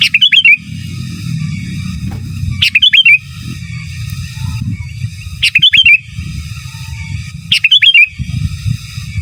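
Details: Energetic sooty-headed bulbul master song, four rapid phrases of bubbling, curling whistles spaced nearly three seconds apart, with a constant low rumble between them.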